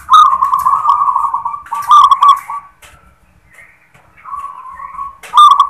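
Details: Rolling, trilled cooing from a local zebra dove giving its "klar ketek kuk" song. A long warbling phrase opens, followed by shorter purring notes, a pause, a softer steady coo and a final sharp-edged burst.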